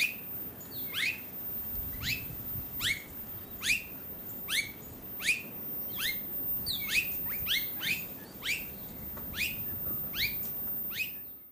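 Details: Repeated downward-slurred whistles from an Australasian figbird recorded on the Sunshine Coast, Queensland, in October 2022, about fifteen sharp notes in under twelve seconds, sometimes in close pairs, with a low background rumble.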